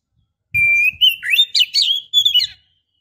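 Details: Female Oriental magpie-robin, in breeding condition, calling a male: a steady high whistle sliding into a fast run of warbling, looping notes lasting about two seconds.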